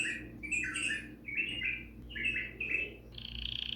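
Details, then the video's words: Bulbul song of harsh, chattering phrases repeated in short bursts, ending in a higher buzzy rattle; a faint low hum sits underneath. "تغريد البلابل"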